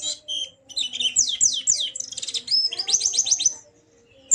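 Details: White-eye song used to get a silent white-eye to join in singing and open its beak: rapid high twittering with slurred, descending notes in dense bursts and a quiet background hum.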